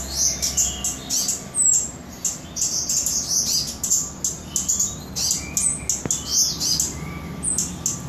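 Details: Cabai gunung or toli-toli flowerpecker in Samarinda, Indonesia, delivering a busy stream of piercing high ticks, trills and downslurred notes with barely a pause, plus a single sharp click partway through.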